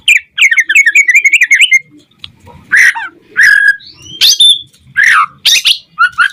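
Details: White-rumped shama singing to provoke other shamas: an opening rapid warbling trill, then loud varied phrases of harsh buzzy notes, upward-sliding whistles and sharp squeaks separated by short pauses.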